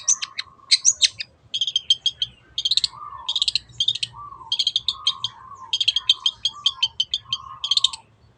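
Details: Lure recording of a long-tailed shrike, 'teot teot' style: clusters of high, buzzy chattering notes, interleaved with a series of lower, slurred, hoarse notes repeated about once a second.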